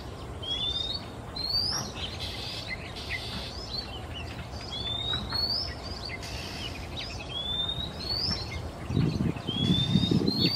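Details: An afternoon song from a male Oriental magpie-robin in Singapore as he moves between perches. Rising whistles come every second or two with scattered chirps and a harsh screechy note, over a steady low rumble that grows near the end.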